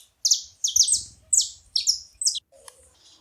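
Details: Saffron finches in a group giving bright, high chips that slide downward, clustered in quick bursts with short pauses, with a faint low rumble and a brief soft knock near the end.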